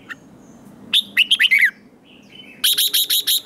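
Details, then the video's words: Red-whiskered bulbul, a newly caught bird, singing in competition: one quick phrase of five descending, warbled whistles, a brief pause, then a steady run of sharp, evenly spaced high chirps. "Kích Chào Mào Hót Ché/ Kích Chào Mào Bổi Hót Đấu Mới Nhất"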